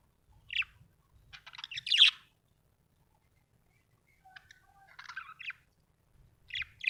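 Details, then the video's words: Budgerigar chirping in scattered bursts: bright chirps and scratchy warbled chatter separated by pauses, with faint low thumps underneath. "budgie chirping sound"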